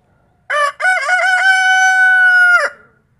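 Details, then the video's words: Rooster crowing, one of three free-range creole roosters (two barred, one white) sharing a pen: a loud crow of short choppy opening syllables, then one long steady drawn-out note held for over a second before ending abruptly. "ES UN BUEN TIEMPO PARA QUE LOS GALLOS CANTEN"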